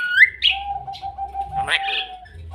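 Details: A talking myna (jalak kebo mata putih, a species that mimics human speech) gives rising whistled slurs, a long steady mid-pitched tone and a harsh, speech-like burst, all within about two seconds.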